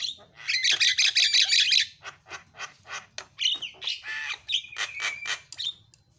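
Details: Starling lure song used to provoke silent starlings into chattering: a loud, chattering run of harsh buzzy notes and squawks, quickly repeated, with a few whistled slurs near the end.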